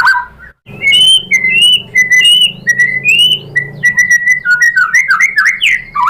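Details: Lure song of a white-rumped shama aimed at getting other shamas to answer: loud, pure whistled notes in varied repeated phrases, speeding into rapid twisting chirps toward the end.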